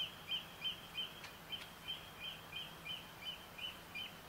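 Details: Oystercatcher calls recorded live on the night of 6–7 July 2014: a run of short, high piping notes, about three per second at an even pace, over a steady hiss of background noise.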